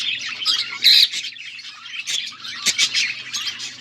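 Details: Budgies squawk and chirp, August 14, 2024: a loud harsh squawk near one second among busy high warbling chatter, with a faint hum.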